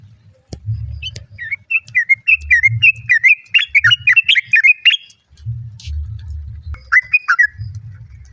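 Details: Female sooty-headed bulbul calling the male, other birds answering: a loud run of short chirpy, slightly buzzy notes in a quick series, then a brief second burst after a pause, over low rumbling background noise.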